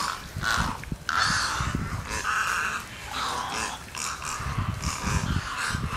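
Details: Egrets squabbling over breakfast at a watering hole in J.N. "Ding" Darling National Wildlife Refuge, with a run of coarse, rasping croaks, some drawn out and some clipped, against a rumbling low background.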